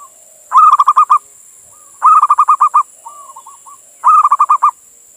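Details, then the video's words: Local male zebra dove in Indonesia calling to a female, a sound meant to attract other doves or get them singing: three bursts of seven or eight rapid hollow coos, roughly two seconds apart, with softer cooing between and a faint steady hiss. "Suara Perkutut Jantan Memanggil Betina"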